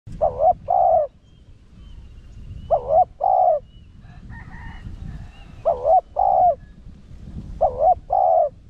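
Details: Spotted dove of the Rặc Đồng voice style, used to lure wild doves: a paired coo, a wavering note then a steady one, repeated about every two and a half seconds, with a faint chirping bird in between.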